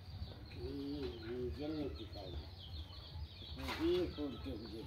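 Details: Pigeon; coos; fighting over a site for a new nest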